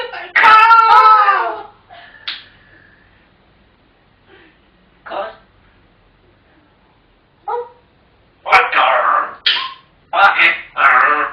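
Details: African grey parrots chattering indoors: bursts of harmonic, speech-like babble and short squawks spread over about eleven seconds, separated by quiet gaps.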